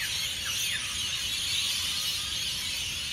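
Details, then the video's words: Rainbow lorikeets by the hundred screeching at their Burleigh Heads Beach roost, Gold Coast, Queensland, before sunrise; steady high-pitched din with a couple of short downward squeals early on. "The noise of Hundreds of Rainbow Lorikeets at Burleigh Heads"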